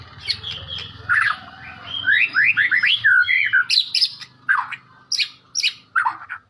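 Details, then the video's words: White-rumped shama from Medan delivering a lively varied song: rapid slurred whistles and chirps in quick succession, then spaced sharp high notes, over a faint low background hum. "Kicauan Murai Medan mantap.."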